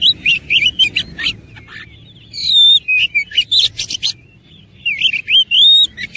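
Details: Oriental magpie-robin in a fighting state, singing a rich, varied song of loud whistled notes, slurred rising and falling phrases and sharp chattering bursts, with short pauses between phrases.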